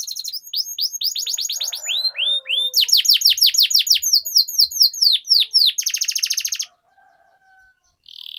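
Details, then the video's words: Domestic canary singing a training song with long rolls, meant to coax silent birds into song: quick trills give way to loud, down-slurred swept notes, then a dense buzzy roll before near silence and a brief final buzz. "Suara Pancingan Burung Kenari Agar Cepat Gacor dan Ngerol, Masteran Suara Kenari Ngeroll Panjang"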